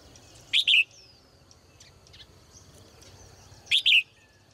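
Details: Female bird calling from a cage in the morning, two clear bursts of doubled high chirps roughly three seconds apart, soft distant twittering behind.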